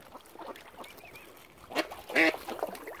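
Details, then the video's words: Angry, hungry mother swan at Lough Neagh near Oxford Island Nature Reserve, County Armagh, Northern Ireland, where algae has killed normal food supplies; a loud nasal honking call bursts out near the end after softer short calls, with other waterbirds and lapping water. "ANGRY MOTHER SWAN"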